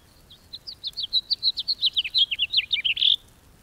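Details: House finch (Haemorhous mexicanus) sings a quick, jumbled warble of about fifteen high, varied notes over three seconds, ending in a burry, buzzy note.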